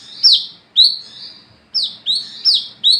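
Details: Olive-backed sunbird song at night, the ngalas ngeplong style serving as a lure for other wiceh: six high, falling, sweet notes, a pair, a long gap, then a tighter cluster of four.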